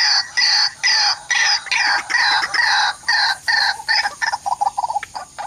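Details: Waterhens at a mirror decoy trap, one coming to chase another that faces the mirror. Loud raspy, braying bursts repeat, then break into quicker choppy notes mixed with short upslurred hoots at the end.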